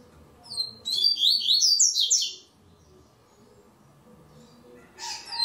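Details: Double-collared seedeater (coleiro) in a Brazilian web singing tournament delivering one rapid phrase of high, sliding, chattering whistles for about one and a half seconds, then quiet, ending with the start of another burst.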